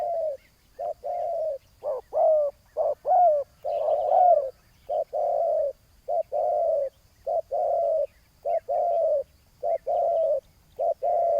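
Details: Long bout of spotted dove cooing during ground decoy hunting of a big-voiced rival: steady, rhythmic short and long purring coos almost every second, occasionally overlapping, with faint high chirps.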